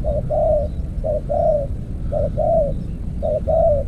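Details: Spotted dove used in decoy trapping with an earthen trap, Thailand-style, cooing low and mellow in repeated two-part phrases, a short note followed by a longer rolling coo, about once per second, over low rumbling background noise.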